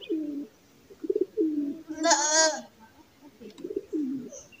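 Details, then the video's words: Pigeons give low, throaty rolling coos in short phrases about a second apart, broken midway by a brief, harsher nasal squeal. "Pigeon Sound"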